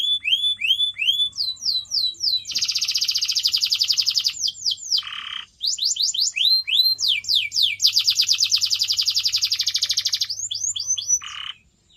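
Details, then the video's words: Canary song meant to train pet birds, alternating bursts of falling whistled notes with long, very rapid trills and brief low rasping buzzes, over a quiet background hum. "CANARY SINGING SOUND"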